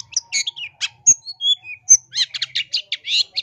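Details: Long-tailed shrike singing mimicry-filled masteran, a 2023 lure and training recording. Scattered clear whistled notes at differing pitches give way to a fast run of buzzy chirps about three per second.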